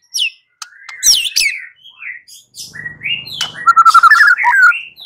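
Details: White-rumped shama song used as a lure to draw an answering song: sweeping whistles, then a quick trill of repeated notes and a descending slur, over a faint low hum.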